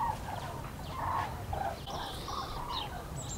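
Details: Flock of common cranes passing over the Eifel, 6 March 2018: rolling, bugling calls overlap in bursts, joined by thin, higher chirps from other birds and low background rumble.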